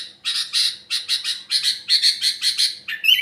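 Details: Sooty-headed bulbul singing a trocok-style phrase of eight or so harsh, buzzy chattering notes in quick succession, ending with a brief higher twittered note.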